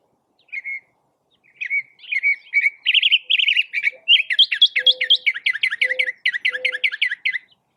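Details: Northern Mockingbird, a skilled mimic of other animals, car alarms, sirens and crying babies: high chirps and buzzy notes, each phrase repeated several times, then a quick run of falling notes, with a few soft low tones beneath.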